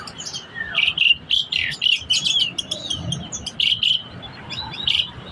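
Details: Vigorous song of a black-collared starling: rapid, shrill chirps and squeaky whistles delivered in dense, repeated bursts, separated by very short gaps, over a quiet background.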